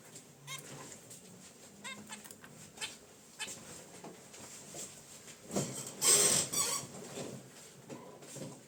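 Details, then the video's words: Pet zebra finches in a cage by their wicker basket nest give short nasal honks and chirps at an irregular pace, with a loud burst of rustling midway through. "Zebra Finches in Their Cage: Natural Chirps & Sounds"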